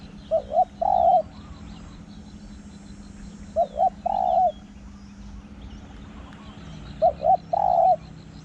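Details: Spotted dove in Thai dove-calling session, repeating a three-note phrase of two quick coos and a longer held coo, about every three seconds, three phrases, quiet hum and distant small birds behind.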